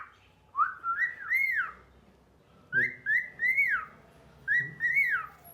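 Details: Talking pet cockatiel giving three clear whistled phrases, each rising and falling with harmonics and spaced about two seconds apart, against soft background music.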